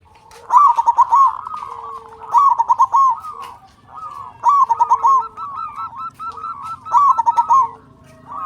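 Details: Local Indonesian zebra dove with a big voice, singing steadily and used as a lure to make other doves sing: loud staccato cooing phrases ending in a short trill, repeated about every two seconds, with softer coos from other doves behind.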